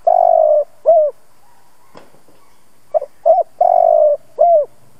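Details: Spotted dove used as a lure bird, cooing to rouse other doves: a long level coo then a short curved note, a pause, and a repeat of short notes, long coo and closing downslurred note.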